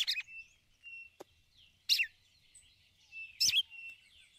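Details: A female red-cowled cardinal calls for the male with 'ticulau' notes meant to excite him. Bright chirps that slide downward arrive in three bursts about a second and a half apart, with a faint, constant high tone behind them.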